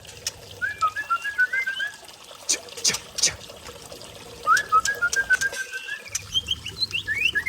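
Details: White-rumped shama (Murai Aceh) in the forest of Lamno, Aceh Jaya: two bursts of clear, slurred whistled phrases, rising and falling, separated by a pause, over a steady low hum with scattered clicks.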